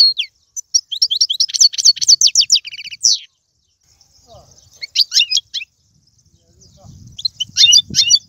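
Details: Goldfinch song in the Algerian tiwawati, galoubi and serfati styles, bursts of fast high twittering and trills broken by short silences, with a faint low murmur behind.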